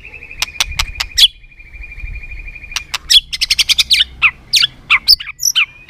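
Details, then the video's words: Competitive singing of a white-rumped shama, a long buzzy trill followed by bursts of sharp clicking tack notes and short high whistles. "chòe lửa tạch liên tục đập đuôi dùng kích chòe lửa lên lửa hót đấu"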